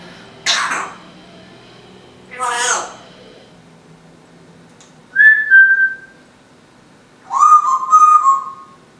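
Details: Female timneh African grey parrot, kept indoors, making house noises and whistling: two breathy, noisy bursts, then two sustained pure whistled notes, the second wavering slightly around a steady pitch.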